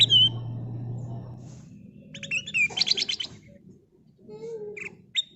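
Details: A kutilang emas bulbul sings a lure song: a clear downslurred whistle, then a rapid burst of busy chirps, then sparse high notes. A low hum is heard early on.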